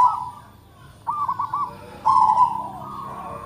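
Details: Zebra dove of a local strain, prized for a loud voice and tight note spacing, utters a short burst of quick, clipped coos and then a rolling, burred trill after a near-silent pause.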